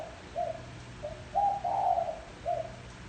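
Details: Single phrase of a spotted dove coo used as a decoy for wild doves: quiet opening notes, then a loud drawn-out two-part coo and a short closing note, low and mellow, soft background hum.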